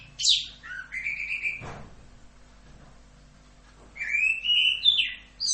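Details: Two short bursts of song from an Orange-headed thrush in "Rock'n Roll" tutor style, each a sharp high note followed by a rising whistled warble, separated by about two seconds of near silence.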